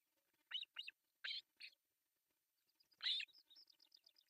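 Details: Osprey chicks, three young in an artificial nest in Pohjois Satakunta, Finland, during breakfast feeding on July 1, 2024; high thin squealing calls in short bursts, then a louder squeal followed by a rapid series of soft, evenly spaced chirps.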